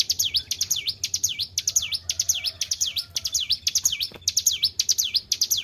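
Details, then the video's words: Kept white-browed shortwing in full, lively song after care: fast series of high whistled notes that swoop down and back up, about two per second, with brief pauses between bursts; faint background hum. "GACOR IDOLA PARA SUHUU..BURUNG CIBLEK GUNUNG"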